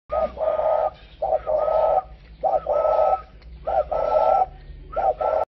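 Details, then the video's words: Spotted dove, a cu khách type, from a dove breeding garden in Ba Vì, Hanoi, northern Vietnam, cooing in low mellow phrases, a short note then a longer hooting coo, repeated about five times with brief gaps. "chim cu khách"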